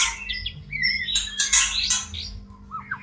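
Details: Caged white-rumped shama in breeding condition, singing its mating song: harsh, squawky bursts mixed with short whistled slurs and quick rising notes at the end, over a steady low electrical hum.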